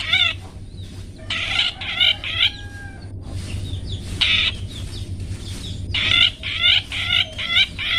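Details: Long-tailed shrike 'toet toet' song, used to teach pet birds: clusters of quick harmonic notes separated by quieter, rasping stretches. Loud passages start, stop and start again over a low hum.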